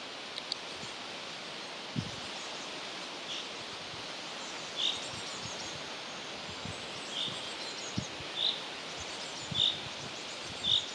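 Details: Young hazel grouse at Anguse, Virumaa, in July 2025 give thin, high peeps, single and spaced a second or two apart, over a steady rustling background of leaves and wind.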